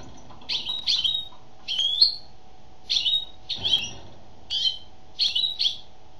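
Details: A singing female European goldfinch gives paired chirpy, slightly buzzy twitters, high and quick, spaced about a second apart with brief pauses, against a quiet background with a faint low hum.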